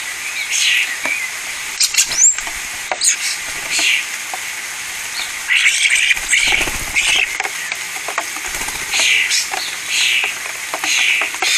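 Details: Common starlings feeding on a spring afternoon in a cottage garden at Scone by Perth, Perthshire, Scotland. They give scattered high chattering and squeaky calls with sharp clicks, over a steady hissing background.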